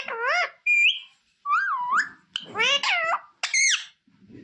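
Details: Trained pet parrot saying "mummy papa" indoors: a series of harmonic, voice-like syllables, some dipping and rising, with a short whistled note near the start, each sound about half a second long.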